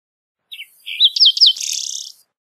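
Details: A green-tailed towhee song opens with soft low notes, then three clear slurred whistles that fall sharply, and ends in a loud, rich buzzy trill lasting about half a second. A faint hiss sits in the background.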